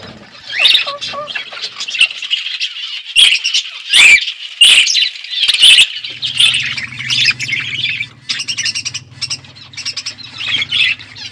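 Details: Outdoor aviary budgerigars chirping: bursts of loud scratchy chatter and sharp squawks, then quieter chirps over a low steady hum.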